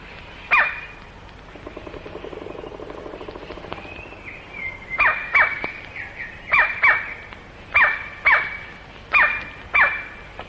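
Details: In a Malayan rainforest, recorded in the late 1950s to early 1960s, a male white-bellied (great black) woodpecker gives loud, piercing calls, mostly in quick pairs, and an early frantic drumming roll of about two seconds.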